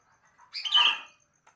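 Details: Morning song of a sooty-headed bulbul: a few soft low notes lead into one rich, slurred phrase with a bright whistled peak, then a brief faint note at the end.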